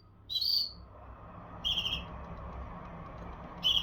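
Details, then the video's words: Canary giving three short, high, clear whistled notes spaced over about four seconds against a quiet low background hum. "كناري مذهل و تغريدة رائعة / Amazing canary and wonderful tweet"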